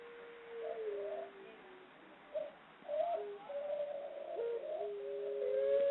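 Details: Female ringneck dove (Barbary dove) giving smooth, drawn-out low coos, some rising slightly at the end, with overlapping notes that hint at a second dove nearby.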